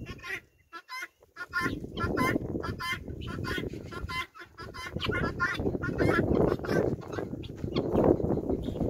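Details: Guineafowl raised on a farm, a flock following a hen: a run of loud, grating, clipped calls in quick succession, then buried under heavy low rumbling and handling noise.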